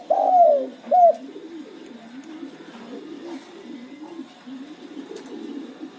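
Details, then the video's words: Spotted dove used as a lure to set other doves calling: two loud, arched cooing notes open, then a softer, lower dove coos on repeatedly in the background. "Terkukur Pacingan burung Derkuku pasti langsung ngacor"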